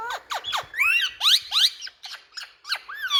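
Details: Rose-ringed parakeets calling: a busy jumble of loud, shrill, sweeping squawks and screeches rising and falling, overlapping with no pause, as from several birds together.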